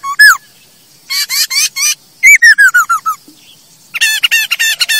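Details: Loud, varied song of a masked laughingthrush, used to train birds: a rich whistled note, a cluster of harsh chattering notes, a descending series of about seven whistles, then more harsh chatter.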